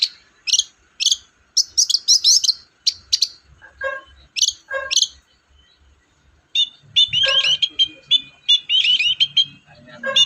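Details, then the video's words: Long-tailed shrike song to prompt a quiet shrike into singing: clusters of sharp high chips, a few lower harsh notes, then a fast jumble of rippling, twittering whistled phrases. "BURUNG CENDET GACOR DOR, MEMANCING CENDET DIEM AUTO NYAUT GACOR"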